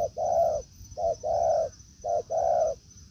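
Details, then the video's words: Spotted dove in forest, where a decoy bird meets a wild dove. Paired coos, a brief note then a longer mellow one, repeat about once per second with a steady high whine behind. "Mồi Thổ ô ra rừng đụng bổi đồng cườm đẹp"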